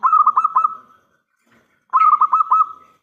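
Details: Zebra dove, a local bird with a big voice, calling to draw replies from other doves. Two phrases of five or six quick, cooing notes, each ending in a humming trill, about two seconds apart.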